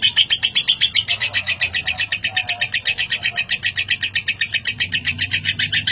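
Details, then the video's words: Lovebird ngekek, a prolonged chatter for tutoring other caged birds: rapid, regular rasping chatter notes, nearly four per second, sustained across the whole stretch. "Lovebird ngekek panjang durasi 1 menit lebih"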